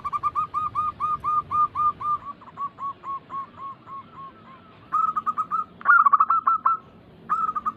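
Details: Massed zebra doves, kept birds of local and Bangkok types, coo in a recording used to prompt singing: a long train of rhythmic repeated notes fades, then fresh trilled bursts from other birds.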